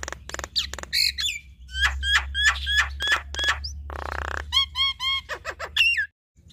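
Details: Showing off their repertoire in duet, a male and female Javan myna give harsh buzzy bursts, a series of repeated upward-flicking whistles, a broad rasp, then bright slurred whistles before falling silent.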